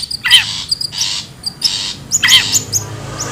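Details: Long-tailed shrike recorded in the wild, played as a lure for birds: rasping, noisy calls with downward-sliding notes, two main bursts plus short sharp high whistles, with faint low background hum.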